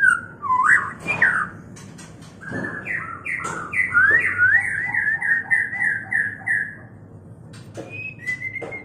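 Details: White-rumped shama song in a mating context, recorded for training caged birds: loud, rich phrases with sharp clicks, then a long rapid series of rolling, wavering whistles, ending in a few high, clear whistled notes.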